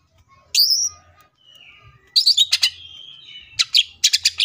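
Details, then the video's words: Greater green leafbird giving a loud, varied full song of sharp high chirps, rising whistled sweeps and fast rattling bursts in quick succession, with a faint low hum underneath. "CUCAK IJO FULL TEMBAKAN❗MATERI BANYAK MANA MUNGKIN IJO KALIAN TIDAK IKUT GACOR!"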